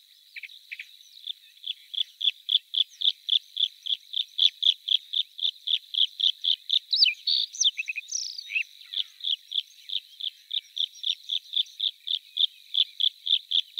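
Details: Bluethroat, Luscinia svecica, delivering a long fast series of high metallic ticking notes, about four per second, with a brief burst of sweeping whistled notes midway before the steady ticking resumes.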